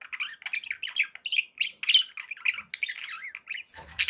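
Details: Happy budgies kept as pets chatter without pause, a steady stream of quick, buzzy warbles and squawky chirps with a sharp scratchy burst near the end.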